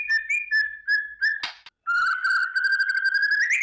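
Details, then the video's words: Morning white-rumped shama lure song meant to raise fighting mood: short clear whistled notes repeated about every half second, a harsh burst, then a steady buzzing trill rising at the end. "kretekan dahsyat❗murai batu gacor pancingan pendongkrak emosi dan fighter pagi hari burung murai"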